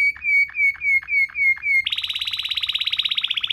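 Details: Waterslager canary song as a tutor recording: six loud whistled notes about every quarter second, then a fast, high, pulsing rolled trill.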